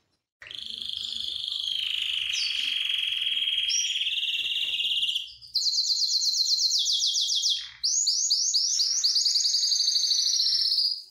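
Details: Excited canary singing and wanting to mate: a long sustained high buzzy trill, then rapid repeated high notes rolling into fast rhythmic trills, loud and continuous throughout.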